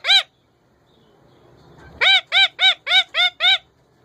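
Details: One sharp squawk from a kept male rose-ringed parakeet, a quiet gap, then six rapid, regular arched squawks about four per second.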